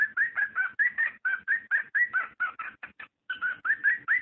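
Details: ['Cockatiel mating call used to stimulate breeding: fast, steady chirping with upslurred whistled notes and one short pause near the end.']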